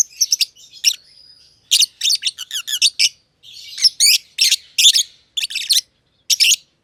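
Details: Two masked lovebirds sharing an aviary, green and green pied personata, chirping for a long stretch; rapid rattling series of shrill chirps, a soft twittering interlude, then loud spaced squeaks.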